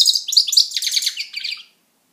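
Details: European goldfinch singing at home, one dense tumbling phrase of high, liquid twittering notes that fades out after under two seconds.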